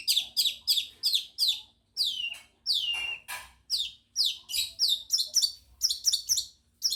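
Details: Long-tailed shrike of the Madura type singing with mimicked ciblek kristal and canary phrases: bright, high, sharply down-slurred notes repeated in rapid runs, with a long descending whistle in the middle and short pauses between bursts.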